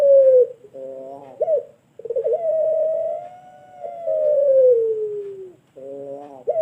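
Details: Pelung turtle dove delivering its long call for training other birds: a short falling coo, a rich burry note, then a long smooth tone rising slightly and sliding down over about three seconds before another burry coo.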